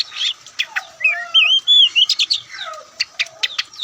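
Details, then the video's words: Oriental magpie-robin, the white-breasted kacer poci, delivering a lively varied song of fast chips, clicks and looping whistled phrases, densely packed with quick buzzy bursts throughout. "Kicauan Santai Kacer"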